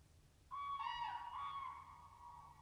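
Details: Common crane (Grus grus) in woody early-spring Finnish scenery gives one loud, rich, slightly falling trumpeting call lasting about two seconds against a quiet background.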